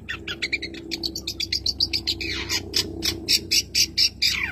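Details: Caged Madura long-tailed shrike in mimicking song: fast run of harsh scratchy notes and bright whistles, roughly two per second, with descending slurred calls near the end over a low hum.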